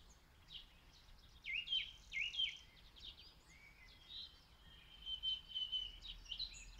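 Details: Song thrush far off in Zala county, Hungary, recorded with a phone: repeated rising whistled notes in a short phrase, then a long sustained whistle and scratchy twitters over steady background noise.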